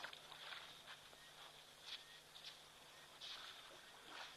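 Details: Several Meves's long-tailed starlings calling at a waterhole on 17 September 2023, the predominant call heard there: short, harsh, high chattering notes in scattered bursts over a faint outdoor hiss.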